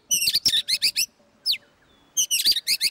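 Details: White-rumped shama at the Plaza Cup 2015 bird singing competition in Semarang, Indonesia: fast bursts of bright, high chattering notes in tight clusters, a short pause with one downward slurred whistle, then more rapid bursts.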